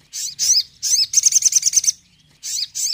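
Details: Crimson sunbird in a high, energetic tembakan meant to boost a dull bird's mood: swooping sharp chirps, a fast run of about eight rapid repeated notes, then two more swooping chirps.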